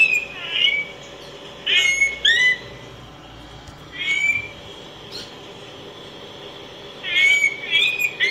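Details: Araripe manakin, a critically endangered Brazilian forest bird, singing short bursts of bright, slurred whistled and warbled notes, repeated every few seconds, over a faint steady background hiss.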